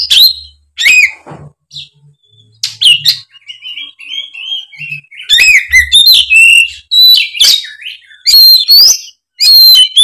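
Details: Oriental magpie-robin, sung openly to provoke a reply from a spotted young molting magpie-robin; sharp whistled notes, a sustained wavering whistle, then a long dense run of varied ringing phrases and clicks.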